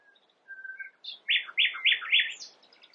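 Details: Nightingale singing, said to mimic other birds: soft low whistled notes, then four loud, emphatic, slurred notes in quick succession and a high, fading squeaky trail, over light background hiss.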